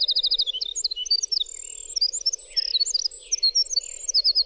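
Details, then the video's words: Clear winter wren song opening with a fast, even trill, then a nonstop tumble of very high chips, whistles and short rattles, ending on another trill; a faint low hum persists beneath. "suara winter wren"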